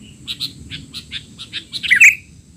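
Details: Sooty-headed bulbul in a noisy, agitated outburst meant for training young birds: a run of separate short chirps spaced about a quarter second apart, ending in a louder, harsher squeaky flourish.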